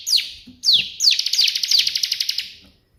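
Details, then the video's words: Burst-style 'tembakan' song of a bar-winged prinia for song tutoring: several sharp descending slurs lead into a fast, steady, high trill that slowly weakens and stops. "burung ciblek gacor versi tembakan perenjak putih"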